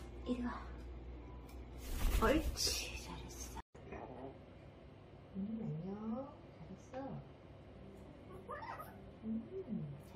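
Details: Eight-month-old grey parrot that babbles and sometimes says a few words, giving soft, speech-like warbles and short rising-and-falling phrases; a loud rustling burst comes early, with a person's voice nearby.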